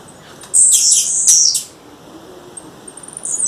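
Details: Female blue-black grassquit calling outdoors in the wild: one sustained, high, shrill buzzy note lasting about a second, followed by quiet and faint chips at the end.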